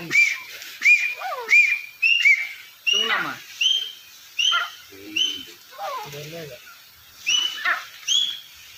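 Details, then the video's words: Deccani partridge giving a run of short, sharp whistled notes, several in quick succession, then spaced about every half second with slight upward inflections; a murmuring human voice intrudes midway over faint background hiss. "The disturbing sound of Deccani partridge"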